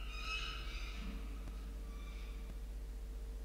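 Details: Peregrine falcon calling in the evening around a tower on 10-12-2022: a harsh, harmonic wail in the first second that fades into a fainter, drawn-out echo, with steady low hum beneath.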